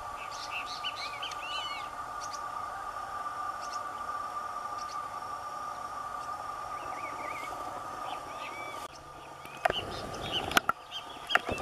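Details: Blue-winged parrotlet (tuim) in the Brazilian caatinga, singing while eating: short, high, arched chirps in scattered bursts over a steady insect drone; a few loud clicks and knocks near the end.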